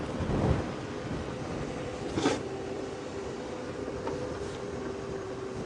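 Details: Steady vehicle engine rumble with a low droning tone, a few brief knocks and rustles, and no animal calls, recorded at sunset on a safari drive.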